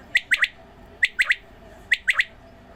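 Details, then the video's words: Close, loud quail call while the birds are watered: three bright, clipped three-note phrases in quick succession, evenly spaced under a second apart. "Video of watering quail and sound of quails. بٹیرے کو پانی ڈالنے والی ویڈیو اور بٹیروں کی اواز"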